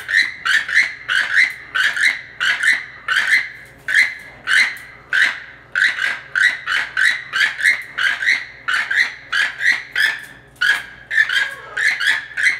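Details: A captive keel-billed toucan, one of a pair kept in winter housing, gives dry, frog-like croaks in a steady series, about one and a half to two per second, over a faint low hum.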